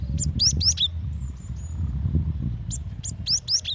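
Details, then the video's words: Female cinereous tit calling the male: quick whistled notes sliding down in pitch, repeated in two groups, with a thin steady whistle between and constant low hum behind. "Suara gelatik batu betina"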